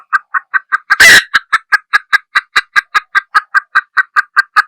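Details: Female junglefowl hen giving a fast series of short, even clucks, about four per second, broken once by a single loud, harsh burst near the start.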